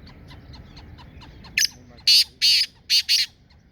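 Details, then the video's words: A single black francolin phrase from Sindh, Pakistan: one brief scratchy note, then four loud, buzzy, grating bursts in quick succession over faint background bird twitters. "Kala Teeter sindh Pakistan"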